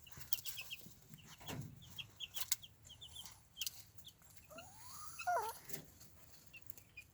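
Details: Easter Egger chicks, content outdoors with their adoptive mother hen in a movable chicken tractor on fresh grass, give soft, high cheeps in quick scattered runs, one longer rising-and-falling trill; faint rustling behind. Chicken.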